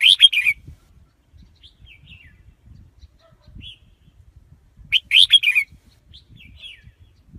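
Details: Red-whiskered bulbul delivering a loud, rich warbled phrase twice, five seconds apart, with a few soft chirps between and faint low knocking in the background.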